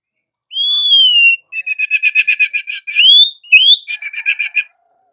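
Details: A white-rumped shama pours out energetic 'gacor' morning song: long clear whistles alternating with fast buzzy rattling trills, then upward-swept whistles and another rapid chattering series.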